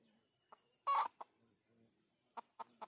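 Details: Junglefowl at a lure session for wild birds: scattered short clucks, with one loud harsh burst near the start and three quick mid-pitched clucks at the end, against a quiet background with a thin high whine.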